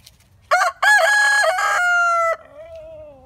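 A rooster gives one loud, harsh crow of several quick syllables, ending in a long drawn-out note that falls away, with a fainter trailing sound afterward.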